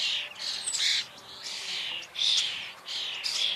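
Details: Common starling (Sturnus vulgaris) giving wheezy, grating song phrases with squeaky high notes, roughly one burst every second, loud and close.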